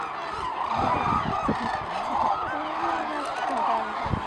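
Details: A large flock of hooded cranes circles and climbs over Izumi, setting off on northward migration on 10 February 2013, calling together in a dense wash of overlapping bugling, trumpeting notes over a faint low rumble.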